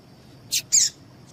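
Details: Female double-collared seedeater call used to get males singing for tournaments: a quick pair of high, buzzy chirps, the second longer and slightly descending, over a faint constant tone.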